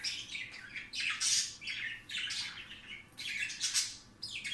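Budgerigars chatter in bright, scratchy bursts of high squawks and chirps, one after another.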